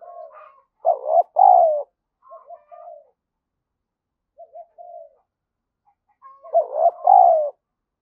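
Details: Spotted dove used as a decoy, calling and cooing to draw in and excite rival doves; loud paired coos, a rising note and a drawn-out falling one, repeat twice between quieter short coos, with no background noise.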